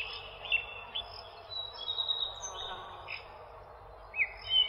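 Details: Several small birds chirping outdoors, short bright chirps and thin high whistles scattered through the clip, with a steady hiss of background noise.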